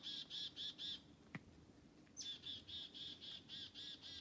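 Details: Black-capped chickadees following people through a forest: rapid runs of buzzy, harmonic dee notes, about four per second, broken by a short gap with a sharp click, then a rising chip and another long dee series.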